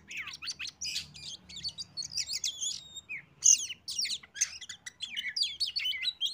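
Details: Oriental magpie-robin song played as a lure so other birds join in: quick bursts of high, scratchy, warbling notes and clear whistles, delivered in rapid clusters with short gaps, over faint low background noise.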